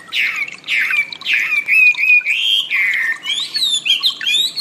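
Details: Chinese Hwamei (wambi), training audio for cage songbirds: rich, full whistled phrases sliding downward, then a long wavering whistle and higher looping notes toward the end.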